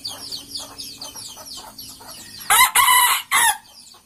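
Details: Sumatran junglefowl kept in captivity, heard while its food and water containers are cleaned with floor cleaner. Rapid thin high chirps repeat for about two seconds, then three loud, harsh, broadband squawking bursts follow in quick succession.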